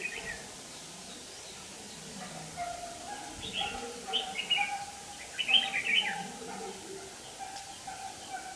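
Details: Red-whiskered bulbul singing as a fighting decoy for trapping; a run of chattering, warbled phrases building in loudness over several seconds, with a faint lower hum beneath.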